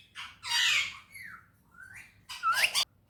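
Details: Happy parrot known for talking in Urdu and Hindi gives a loud raspy squawk, then a gliding whistle-like note and a sharp rising cry.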